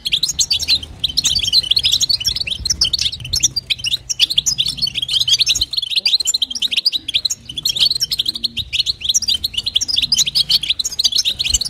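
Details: Calling female European goldfinch urging on a male, batbata and satsata style: long, busy twittering of rapid high chirps and trills running almost without break, one short gap midway, soft low hum in the background.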